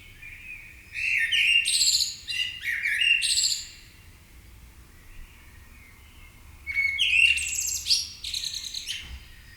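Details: Morning bird chorus as birds awaken in Marousi, Athens, Greece: a long burst of fast, high twittering and chirps, then a quiet gap before another lively twittering phrase, with a soft low rumble underneath.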